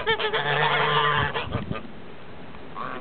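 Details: A blue or grey Toulouse goose gives a long drawn-out nasal honk followed by a few shorter honks, then the flock falls mostly quiet with faint background noise.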